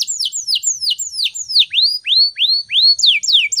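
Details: Canary singing vigorously in the morning, a recording used to lure and train other canaries: high whistled notes sweeping downward, repeated about three per second, then rising upslurred notes and faster descending slurs, no other sounds.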